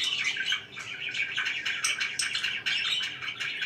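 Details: Budgies kept as pets give a lively, unbroken twittering warble, rapid high chirps layered over a soft scratchy chatter.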